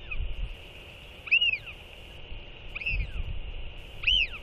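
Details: Northern royal albatross pair skycalling to one another after the chick is fed, recorded 4.9.24: clear arching whistled calls, rising then falling, three calls about 1.5 seconds apart over a steady hum and low rumble.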